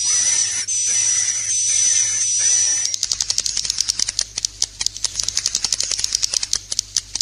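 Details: Swiftlet roosting lure call ('inap plus'), played indoors: high buzzy chirring with a steady whistled overtone for about three seconds, then a rapid series of dry clicks to the end.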